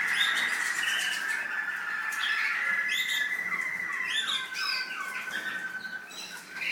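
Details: American singer canary kept for breeding in the UAE, varied warbling song of rolling trills, rising and falling slurred notes and short chirps over a steady tone, indoors.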